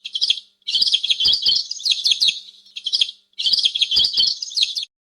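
A sparrow gives rapid, bright chirps in two busy bursts.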